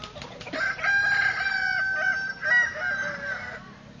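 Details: Kukuak Balenggek rooster in a crowing contest in Solok city, staked in the ground, producing a sustained three-second crow of linked harmonic segments that step along before ending, with a few clicks before it starts.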